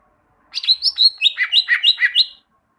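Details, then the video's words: Greater green leafbird singing as tutor material for bird training: quick slurred whistles falling into a fast, even run of alternating high and lower chirped notes, lasting about two seconds. "Masteran cucak ijo, masteran burung cucak ijo agar cucak ijo rajin bunyi"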